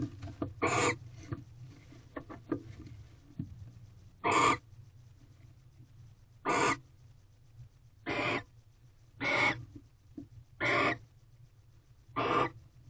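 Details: Barn owl pair at a nest box, 8:19 pm on 18 February 2023, second mating night with a third mouse delivered; scattered ticks and rustles open, followed by seven short, sharp rasping hisses spaced one to two seconds apart.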